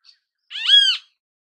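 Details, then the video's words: Great kiskadee in natural habitat uttering one strong, grating, nasal screech with a slight rise and fall, preceded by a tiny faint high chip. "Grande Canção Kiskadee! Grande Canto Kiskadee! Ótimos sons de Kiskadee! Grande Chamada Kiskadee!"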